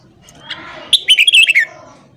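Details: A wild-caught red-whiskered bulbul trained to sing in the morning gives a brief, bright phrase of five or six quick, liquid whistled notes, falling slightly at the end, after a soft faint note.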